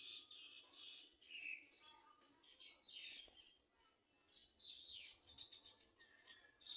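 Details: Garden sunbirds at the nest feeding chicks; excited high squeaky chirps and buzzy downslurred calls in repeated bursts, ending in a thin whistled note, steady hiss behind.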